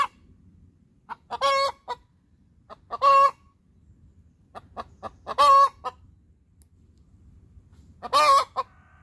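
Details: After laying, a hen cackles her laying song, four strident squawks spread over nine seconds, each framed by quick staccato clucks, with faint low background rumble.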